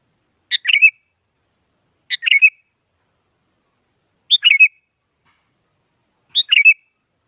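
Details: Sooty-headed bulbul used to provoke a rival into singing: four short bubbly phrases of quick chirps ending in a slurred whistle, spaced about two seconds apart, clean and without background noise.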